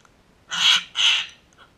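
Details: Sulphur-crested cockatoos in a backyard: two loud, harsh, raspy screeches in quick succession, each about a third of a second long, then quiet.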